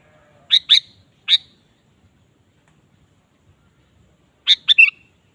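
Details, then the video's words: Sooty-headed bulbul singing actively, a lure recording for provoking a kept bulbul: three clipped chirps, a pause of about three seconds, then a quick rolling phrase of bright notes ending in a short whistle; otherwise quiet. "suara burung kutilang gacor"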